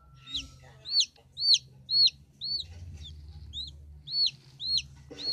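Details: Newly hatched chicken chicks from artificial, lamp-heated incubation give contented peeping: high, sharply downslurred notes repeated about twice a second, with a faint low hum underneath.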